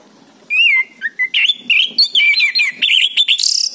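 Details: Orange-headed thrush song played to prompt a silent bird to answer: a loud varied stream of whistled and slurred notes, some harsh, in quick succession after a half-second pause.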